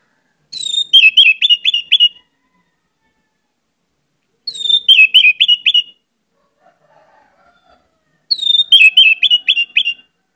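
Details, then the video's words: Orange-headed thrush in full, lively lure song rich in imitations: three bursts about four seconds apart, each opening with a falling whistle and tumbling into a fast string of crisp slurred notes. A faint low murmur sounds between bursts. "pancinagan anis merah gcor banyak isian"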